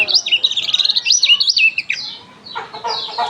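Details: Lemon-bellied white-eye with a strange sound: a fast, tumbling run of high, wavering whistled notes, then a brief pause and a burst of scratchy, buzzy chatter.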